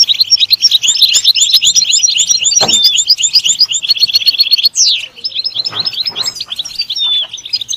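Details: European goldfinch song, a bird kept for singing stimulation: a rapid, continuous twittering stream of high tinkling notes with buzzy trills and a few sliding whistles, briefly broken near the middle, with faint low background noise.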